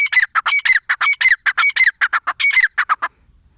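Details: Rapid, loud series of harsh nasal squawks from a female grey francolin, each note with a falling whistled tone, repeated about twice a second for three seconds then stopping.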